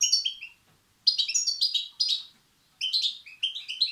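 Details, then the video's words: European goldfinch chicks begging, calls used to stimulate males: bursts of rapid, high chirping notes in clustered, slightly descending runs, with short silent gaps between bursts, clean quiet background. "بتبتة وستستات فراخ الحسون"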